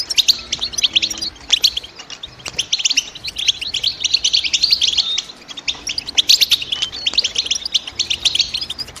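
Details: European goldfinch chirping: dense, fast twittering of high, sharp notes in bursts with brief gaps, overlapping calls suggesting several birds, and a faint low steady hum beneath.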